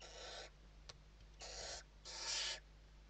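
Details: Western barn owls in a nest interior, Spain, evening feeding on 29 November 2023: three broad rasping hisses with a short click between the first two, the last one loudest.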